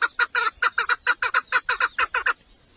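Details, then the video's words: Domestic hen chukar partridge, a 'mari' decoy from a village used to attract males, delivers about thirteen quick, grating chuk notes in an even run, then falls silent. "Evcil köy Marisi dişi keklik sesi"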